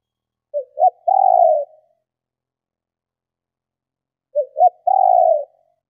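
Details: Female spotted dove cooing to stimulate males to call; two short soft hoots followed by a longer drawn-out coo, the phrase given twice about four seconds apart, quiet background.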